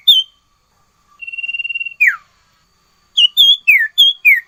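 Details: Sirtu in full, busy song: one high whistle, a buzzy pulsed trill held for about a second, a steeply falling note, then a quick string of bright slurred whistles.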